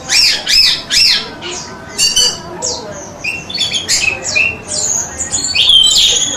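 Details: Orange-headed thrush song used as a training recording for caged songbirds in Indonesia: varied loud whistled phrases, sharp rising and falling notes and buzzy bursts in quick succession.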